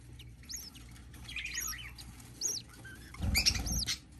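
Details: Budgerigar baby at hatching with scattered shrill arched peeps and some softer twittering, then a brief patch of low rustling and thumps near the end.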